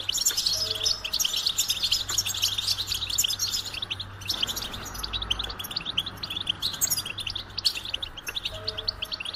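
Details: Goldfinch song of quick, high, metallic twitters and trills that run densely at first and thin out midway, with a faint low hum and soft tonal notes beneath.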